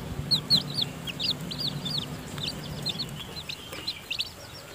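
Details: Chorus of bright, high peeps from newly hatched chicks in the nest during feeding by the mother hen, each note a quick upward or downward slide, over a low background hum.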